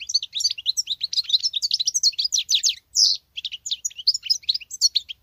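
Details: Female European goldfinch singing like a male, the behaviour called strange: continuous fast twittering with tinkling, buzzy and trilled high notes, one drawn-out nasal note, and almost no pause.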